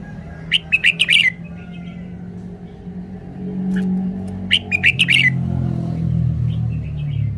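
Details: Red-whiskered bulbul delivering its song phrasing in two bursts of quick, bright, chirping whistles separated by a pause, over a steady low rumble like passing traffic.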